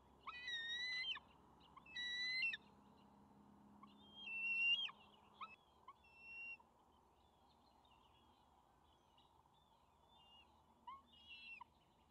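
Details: Two young juvenile bald eagles near their nest on May 28, 2020, as the adult male arrives with a fish and the eaglets scramble for it: thin, high, whistled squeals with overtones, in short bursts of several notes, then fainter single calls.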